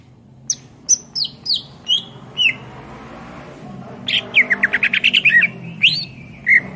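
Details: Greater green leafbird song used as tutor material for songbirds: a slow series of sharp downslurred whistles, then a quick run of chirps and slurred notes over a steady low background rumble.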